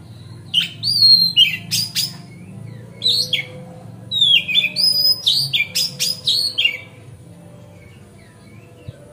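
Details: Magpie-robin lure song for getting other magpie-robins to spread their tails: varied high whistles and rapid chattering phrases in two bursts, ending in a quiet pause.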